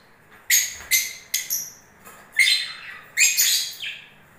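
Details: Lovebirds during the breeding season give a series of short, sharp, high chirps, about a dozen, spaced irregularly over a few seconds in an otherwise quiet setting.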